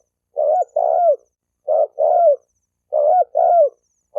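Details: Spotted dove cooing to provoke fighting between males and females; soft low two-note phrases, a clipped coo followed by a longer descending one, repeated about once every 1.2 seconds, background silent.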